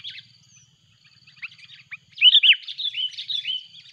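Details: Sooty-headed bulbul giving loud, noisy calls as a rival arrives, a lure recording: scattered thin chirps build into a loud burst of bubbly looped notes, then descending slurred whistles.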